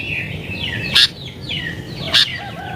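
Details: Sooty-headed bulbul singing in an agitated, rival-pressing mood, used to lure wild bulbuls: faint descending whistled notes broken by two short, loud, harsh bursts about a second apart.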